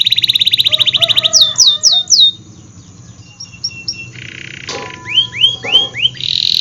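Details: Canary lure song meant to coax reluctant canaries and young birds into singing: a fast high rolling trill, then repeated sweeping whistled notes, a quieter stretch, and more rising-falling sweeps near the end.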